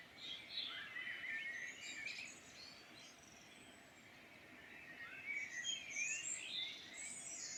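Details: Birdsong in the Irish Midlands: several birds singing at once, with twittering, warbled phrases and quick high whistles overlapping throughout, set against soft steady background hiss.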